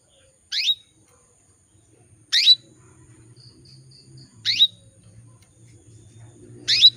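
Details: Female canary's call to males: four brief, piercing, down-slurred chirps roughly every two seconds, with a faint low hum in the background.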